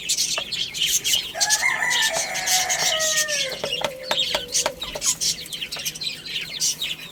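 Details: Baby chicks chirping while playing and eating. High peeps run throughout, and a longer steady mid-pitched tone lasts about two seconds, ringing over sharp tapping sounds.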